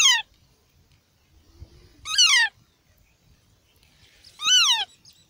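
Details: Very active Rose-ringed (Indian ringneck) parakeet chicks in a park, with an Alexandrine chick nearby, give three harsh, nasal calls. The calls dip downward in pitch about two seconds apart, with faint low rumbling between.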